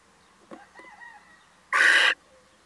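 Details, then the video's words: A visiting male little owl gives one loud, hoarse screech lasting under half a second. A faint thin whistle is heard just before it. "Mannetje steenuil komt even buurten"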